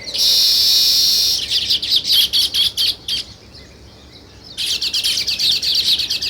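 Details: Loud sparrow flock chirping, a steady intense chatter at first, then clipped rhythmic chirps, a brief near-silent pause, and renewed rapid twittering.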